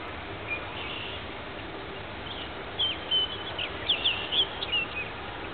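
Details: Male orchard oriole singing at twilight in Marais Temps Clair Conservation Area, northern St. Charles County, on 5/28/10: a faint start, then a few whistled and slurred notes near the end over steady background hiss.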